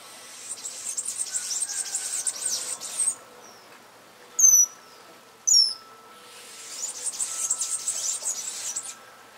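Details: Amazilia hummingbird calling with two high, thin, downward-slurred chips a second apart, set between stretches of dense, buzzing insect noise before and after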